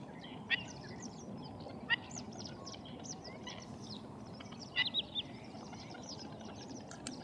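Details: Black-winged stilt calling: sharp, harsh notes given in scattered bursts, a few louder strident calls standing out from softer chatter, over a constant low rumbling background noise.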